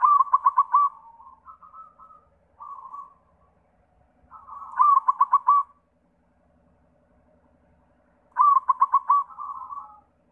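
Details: White zebra dove (perkutut putih) lure song for prompting local doves: three loud bursts of rapid staccato coos roughly four seconds apart, each followed by shorter, softer cooing phrases.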